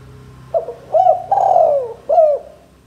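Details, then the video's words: A male spotted dove, used as a lure call, gives four soft, hollow coos in under three seconds; the third is long and slowly falling. A faint low hum lies beneath. "Suara Tekukur Jantan Gacor Dor"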